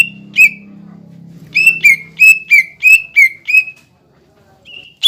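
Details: Cucak ijo lure song meant to stir young birds into singing: a run of seven loud, bright whistled notes, each sliding downward, repeated about every quarter second, after a low droning hum that fades out.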